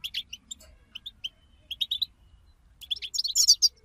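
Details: European goldfinch twittering from a collective recording meant to excite goldfinches into song: quick high chirps in small clusters, rising into a dense, tinkling burst toward the end.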